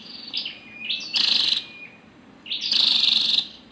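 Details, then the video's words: Female scarlet-backed flowerpecker: soft high stepped notes and a level thin whistle, followed by two loud rasping buzzy bursts, with a low hum in the background. "Tiếng chim sâu đầu đỏ mái"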